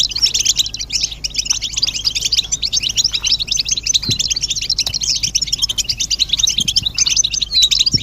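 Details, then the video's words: Group twittering of European goldfinches, mating and readiness calls meant to stimulate silent males to sing: a continuous, tightly packed stream of high, sparkling chirps and trills with a few soft clicks and a steady low hum beneath. "بتبتة الحسون تحفيز الحسون على التغريد والهيجان علاج صمت الحسون goldfinch stimulation"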